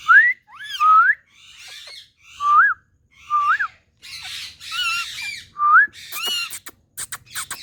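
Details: Indian parrot vocalizing with clear whistled notes, each sweeping upward, repeated about every second, mixed with scratchy chatter and a few sharp clicks near the end.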